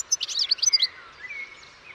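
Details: Short European goldfinch phrase: a quick run of sharp, bell-like chirps, then a soft, level whistle trailing off.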